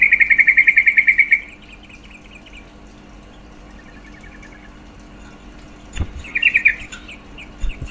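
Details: Call of a female yellow-vented bulbul, said to boost males' mating drive: an opening fast chatter of over a dozen notes, a long quiet stretch, then clicks and a shorter chattering burst.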